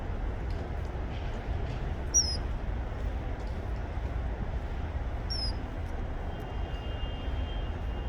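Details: Male common kingfisher calling to a mate, which later arrived: two thin, high, sharp whistles about three seconds apart, each briefly falling, almost buried under a loud, constant rush of water.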